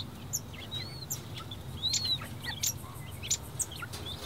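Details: Four-day-old king quail chicks from a clutch of eight, silver and normal varieties, give thin, high peeps and short upslurred chirps, scattered irregularly from several birds, over a steady low hum.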